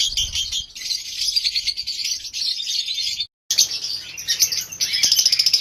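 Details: Lovebirds in a breeding colony of pairs on a farm, many birds giving a dense, continuous wash of shrill, high chattering calls, briefly cut off by a short gap of silence before the chorus resumes.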